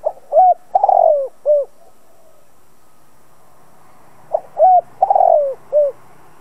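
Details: Spotted dove used as a decoy, cooing to provoke other doves to call: two phrases of low coos, each a short note, a longer rolling burred coo and a final falling coo, separated by about three seconds of quiet.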